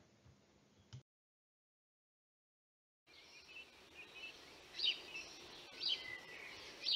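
House sparrows give sharp, bright chirps about once a second over a steady hiss of busy background chatter, after a brief pause.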